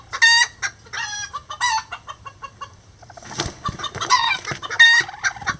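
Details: Miniature Lavender bantam roosters and hen building a nest: bursts of harsh, nasal clucks with bright squawks, a busier scratchy stretch midway, then more sharp clucking.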